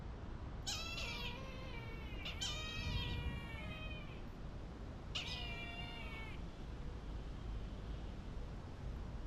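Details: A Brahminy kite (Haliastur indus) in a giant sanctuary enclosure at Aviary Park Indonesia, Bintaro, South Tangerang, gives three drawn-out, wheezy, quavering, downslurred mewing cries, described as haunting and mystical, over a steady low rumble.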